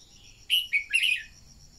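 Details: A single rapid phrase from a red-whiskered bulbul, used to stimulate other birds into song: three or four loud, bright, slurred whistled notes in under a second, with a faint high hum behind.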